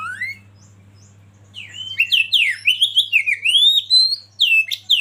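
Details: Oriental magpie-robin (kacer) from a masteran training recording, starting with one rising whistle, then pausing before a rapid run of loud, varied whistled notes that swoop up and down in quick succession. A steady low hum runs underneath.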